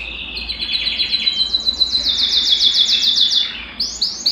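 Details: Belgian canary song used to get a cold canary singing. A bright series of quick, evenly repeated chirps forms a rapid rolling trill, followed by a few louder, separate high notes.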